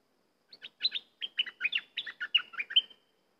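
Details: A cream-vented bulbul delivers a lively two-second string of roughly a dozen chattering, bubbling notes, each sliding down sharply, in a clean quiet setting.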